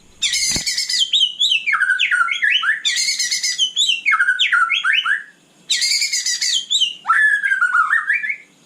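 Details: White-rumped shama night singing: repeated phrases each opening with a harsh rattling burst followed by a string of descending whistled notes, three phrases with short pauses.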